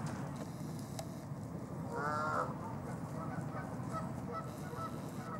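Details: Recorded in Los Gatos, California, USA, on 16 March 2019: a Canada goose utters a clear, nasal, slightly downslurred honk near the middle, followed by softer answering notes, over a steady low background rumble.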